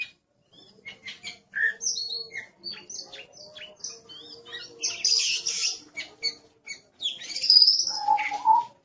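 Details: Oriental magpie-robin, called aggressive, giving scattered clicks and short squeaky notes that build into louder harsh bursts and a wavering whistle toward the end, over a faint low tonal hum.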